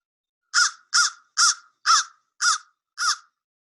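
An American Crow gives six harsh, hoarse caws in quick succession, about two each second, each note evenly spaced and of similar strength.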